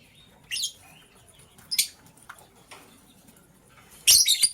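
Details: Morning lovebirds, green and blue, scrambling for vegetables: scattered harsh, buzzy high chirps, two early single notes, then a dense burst of scratchy calls near the end.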